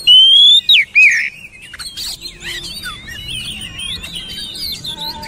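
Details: Oriental magpie-robin song: a long, loud, pure whistle sliding slightly upward, a sharp downslur, then a quieter stretch of fast twisting, warbled notes with faint background hiss.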